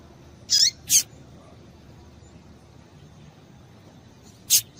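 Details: Female double-collared seedeater calls meant to excite the male to sing: a quick pair of high, thin chips, then a pause of over three seconds before a single further chip, with soft hiss underneath.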